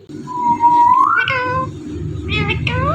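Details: Indian ringneck parrot mimicking speech; a long steady whistled tone sliding upward, then nasal speech-like syllables with curving pitch, over a constant low hum.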